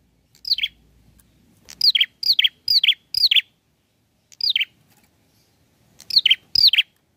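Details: Bar-winged prinia in full song, challenging an opponent; a rapid run of five steeply falling, slurred notes, then a pause and further paired descending notes, clean with no background.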